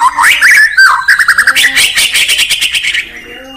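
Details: White-rumped shama from Indonesia in morning song: swooping whistled notes give way to a quick rattling series of chips, about four per second, ending with a low steady tone.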